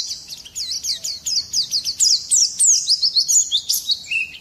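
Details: Oriental white-eye (pleci) pouring out a rapid rolling song intended to make other birds sing; very high clipped chirps repeated about three per second, ending in a lower wavering whistle.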